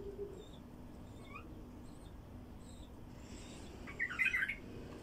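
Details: Wild bulbul song intended to attract other wild bulbuls: one lively, jumbled warbled phrase of fast bright notes after a few faint, thin whistles in a quiet setting.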